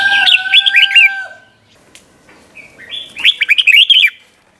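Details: Red-whiskered bulbul 'berl' style song for training young birds: a warbling phrase over two steady whistled tones, a short pause, then a longer run of quick bouncing liquid notes.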